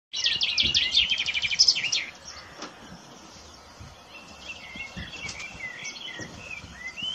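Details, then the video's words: Common chaffinch song: a bright, rapid trill of high notes that descends in steps and ends in a quick flourish about two seconds long, followed by softer twittering from other birds in the background. "kicauan chaf finch"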